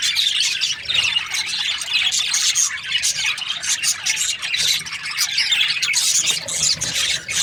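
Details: Breeding-season budgerigars in a group, their rapid scratchy twitters and squawky chirps layered into a dense, unbroken chatter.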